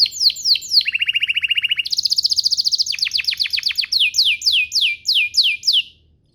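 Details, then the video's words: Canary singing to prompt other canaries to reply: a few descending slurs, a fast even trill, a higher rattling trill, then a series of spaced downward-sweeping whistled notes. "Pancingan Burung Kenari agar CEPAT BUNYI, terbukti ampuh bikin burung kenari lain nyaut"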